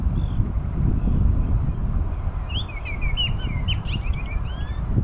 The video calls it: Oriole song